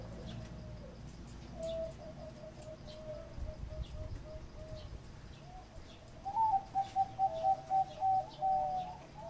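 Zebra dove giving soft, low rippling coos that end in a louder run of about eight quick, bubbling notes; faint chirps from other birds behind.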